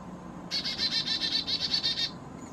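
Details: A busy Black-capped chickadee, perhaps a Carolina hybrid, at a feeder in the Great Smoky Mountains at 4000 feet, choosing a sunflower seed. It gives one long run of about a dozen scratchy, buzzy dee notes in quick, even succession.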